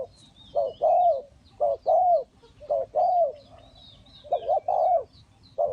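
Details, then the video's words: Decoy spotted dove used for trapping, cooing in quick pairs: a short quavering note, then a longer, rich, descending coo. The pairs repeat roughly every second and a half, with twittering birds high in the background. "นกเขาใหญ่สายต่อดิน,BirdTrap,The Sound Of the dove"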